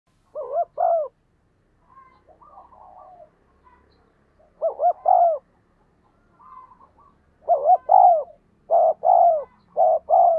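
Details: Spotted dove giving 'thúc gù' urging coos, used to train decoy doves and make wild doves coo: low paired hooting notes in short bursts, separated by softer murmured warbles, ending in a run of doubled coos.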